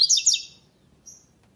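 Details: A captive double-collared seedeater, entered in an online classical-song contest in the category without the third note, gives a quick burst of bright, high twittering notes, then one thin whistle after a pause, over a quiet background.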